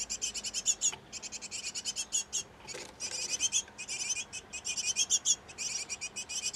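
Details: Great tit nest box with a breeding pair busy feeding and cleaning up after their nestlings; dense bursts of rapid, high, buzzy chirps come in runs of several per second, with brief pauses and a soft rustle near the middle.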